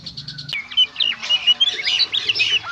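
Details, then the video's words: Gacor konslet song of an Oriental magpie-robin (kacer): quick run of varied sharp whistles, slurred and chirped notes tumbling after a brief buzzy pulsed opening. There is faint low hum beneath. "suara burung kacer gacor konslet"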